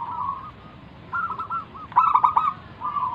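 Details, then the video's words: Local wild zebra dove singing as a lure to draw other doves into calling: short trilled, bubbling coo phrases separated by pauses, with a few sharp clicking sounds in the middle. "burung perkutut lokal Gacor manggung - pancingan pikat paling Ampuh mengundang bunyi"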